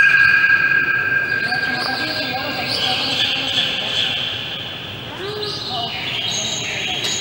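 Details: White-crested laughingthrush at a zoo in Brookfield, Illinois, on December 14, 2015, giving a dense, chattering chorus of overlapping ringing and squealing notes, with a murmur of visitors' voices behind.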